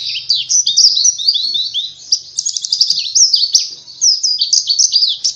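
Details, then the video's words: Oriental white-eye song for training caged birds to sing: continuous high, fast twittering of short slurred notes, rising and falling in quick succession with almost no pauses and little background sound. "Pancingan supaya pleci cepat gacor"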